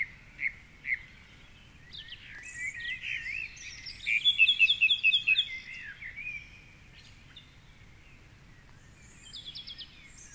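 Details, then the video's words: Male song thrush in the 4.45am dawn chorus at a treetop perch near the Curragheen River, Cork City; a buzzy run of rapidly repeated notes in the middle, scattered other birdsong, rain and quiet gaps. "Dawn Chorus with Song Thrush"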